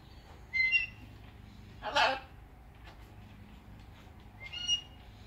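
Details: Morning outdoors, a pet blue-and-gold macaw sharing the space with a red-tailed black cockatoo; one harsh, noisy squawk in the middle, with brief thin whistled notes before and after.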